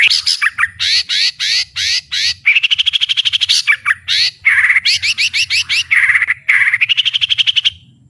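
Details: White-rumped shama with strong fighting spirit, singing at full volume with open beak: loud rapid bursts of varied whistled and harsh phrases, rising sweeps and fast trills, brief gaps between phrases, for about eight seconds.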